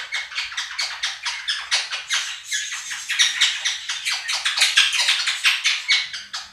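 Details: Two pet Quaker parrots screaming over played recordings of a budgie flock indoors: harsh, broadband squawks repeated about twice a second in a dense, continuous run, with budgie chatter underneath.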